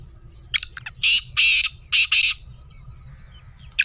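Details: Black francolin, recorded to encourage a kept francolin to start calling, gives a harsh grating phrase: a few short scratchy clicks, then four loud rasping notes in two pairs, then one more sharp note at the end.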